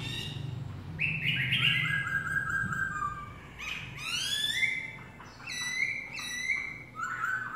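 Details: Black-throated laughingthrush singing: loud, clear whistled phrases, some sliding downward and others rising in rapid runs, repeated in bursts over several seconds above a steady low hum.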